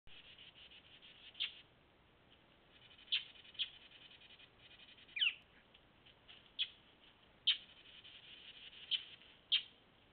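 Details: Northern mockingbird heckling a bobcat, warning it off while keeping its distance: short, sharp, high chip notes given singly at uneven intervals of about one to two seconds, over a steady insect-like hiss.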